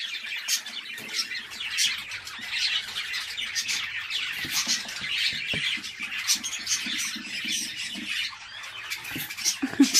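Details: A flock of home-kept breeding budgerigars chatters continuously: many overlapping sharp chirps, squeaks and warbling notes, steady and busy throughout with no other clear sounds.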